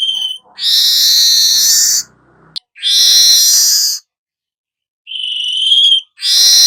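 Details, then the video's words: Weaver song in the chattering 'nyerut' style: long harsh, hissing buzzy bursts of about one and a half seconds, separated by short silences, with a clearer whistled note near the end. "burung manyar anda akan jadi GACOR NYERUT"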